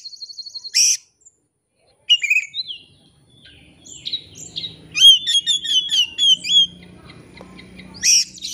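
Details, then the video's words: Oriental magpie-robin singing to seek a rival, used as a lure to draw out full repertoire: a high buzzy opening burst, a pause, then varied whistled phrases and rapid chattering trills, ending in another buzzy burst. "kacer ngeplay cari lawan. pancingan kacer agar bongkar isian.!!!"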